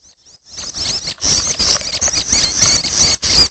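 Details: Red-headed prenjak nestlings begging after a quiet start, with loud, raspy, high squealing notes running together in rough pulses of roughly three a second.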